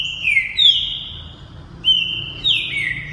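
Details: A male Green-winged Saltator, a multi-champion competition bird, sings loud, clear whistled phrases that slur downward, three bursts within about three seconds, with a faint low hum underneath.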